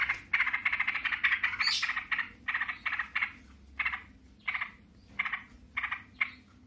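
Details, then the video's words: Yellow-vented bulbuls calling back and forth in 'ngebren' style: a fast run of harsh chatter with a high squeal, then short buzzy bursts spaced roughly every two-thirds of a second. "TRUCUKAN RIBUT NGEBREN SAUT SAUTAN"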